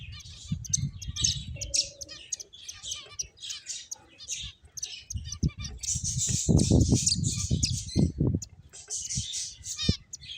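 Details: Several finches at play give a busy run of high chirps and twitters, rapid and uneven, over frequent low thumps and rustles, with a denser burst of chirping in the second half.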